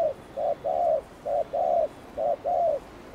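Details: Spotted dove giving thúc gù coos meant to attract wild doves. Soft, low coos alternate between a short note and a longer drawn-out note, evenly repeated, with light background noise.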